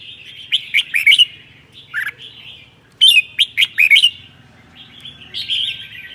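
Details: Red-whiskered bulbul of the seven-claw type from Sơn La, Vietnam, giving its 'ché' song on a cold day: bursts of rapid, sharp chattering notes in clusters, with brief pauses between, steady low hum behind.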